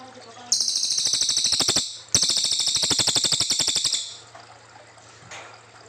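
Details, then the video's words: Brown fulvetta singing its long 'nembak' song, recorded for training white-rumped shamas: two loud, fast, high trills of evenly spaced notes, about eight per second, each running over a second, separated by a short pause. "Cililin gacor panjang"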